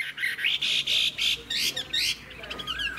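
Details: Wild-caught adult hwamei with a fig-leaf tail utters a burst of harsh, scratchy squawks and buzzy notes in quick succession, followed by a softer slurred whistle.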